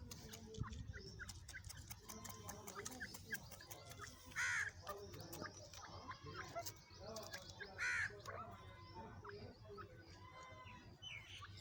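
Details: Female francolin (teetar) calling: two loud, short, harsh notes that bend up then down, about three and a half seconds apart, over a busy background of other bird chatter and human voices.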